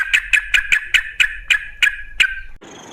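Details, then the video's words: Wild sooty-headed bulbul singing energetically, used as a lure for other bulbuls: nine loud, descending chirped notes spaced about a quarter second apart, then a short burst of hiss. "Suara trucukan gacor ropel ngalas"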